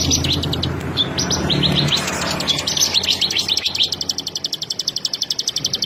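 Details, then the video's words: Bar-winged prinia in the fast ngebren style: jumbled high chattering notes, then a long, very regular trill of sharp repeated notes, about eight per second, with faint low hum beneath. "SUARA BURUNG CIBLEK SAWAH"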